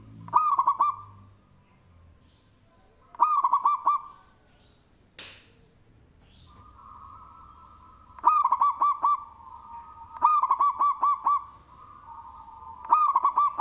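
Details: Local zebra dove with a big voice, singing (manggung), suited as a lure: six rolling cooing phrases of quick stepped notes at irregular intervals, interrupted by a sharp knock, with a thin steady high tone in the later part.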